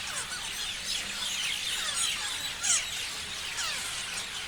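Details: A crowd of parrots keeps up a high, squealing chatter full of quick rising and falling chirps, with one sharp, loud call standing out partway through.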